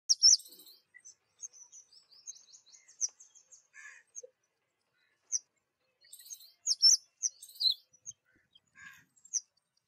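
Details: Black drongo in spring: high, sharp metallic chirps and short whistled notes in scattered bursts, a loud cluster at the start and another near the end, with quieter twittering between.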